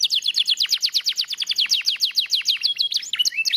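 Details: Lively singing from a lemon yellow canary: a rapid rolling trill of high, downward-slurred notes, about six per second, shifting near the end into a few swooping whistles and chirps.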